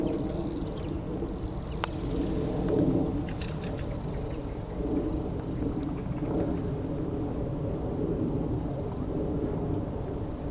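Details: Waxwings from a flock of 60+ feeding on apples in an orchard at East Malling, Kent, 3 January 2011, give thin, high, ringing trills in the first few seconds, fading after, over a steady low rumble of distant traffic.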